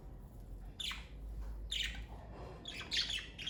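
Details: Pet parakeets from a family kept at home give bright, scratchy chirps in three short bursts, the last a quick cluster of several notes, over a faint low hum.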